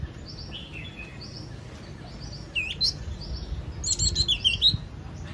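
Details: Yellow-cheeked tit, with high thin whistles and quick chattering, bright twittering phrases that grow louder toward the end over a quiet background hum.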